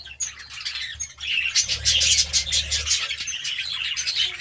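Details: Several budgies enjoying seeds and fresh vegetables: busy high-pitched warbles and sharp chirps that swell after a quieter opening second, with a faint low hum beneath.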